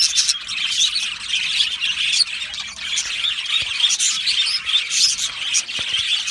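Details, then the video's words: Aviary colony of Australian budgerigars, singing and chirping; harsh squawks mix with fast chattering warbles and high tweets from many birds, a steady unbroken din. "Budgie singing and chirping sounds"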